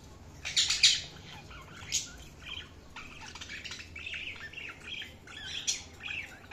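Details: Pet budgerigars chattering with scattered high chirps and warbles over a steady low background hum, with a few louder squeaky notes near the start.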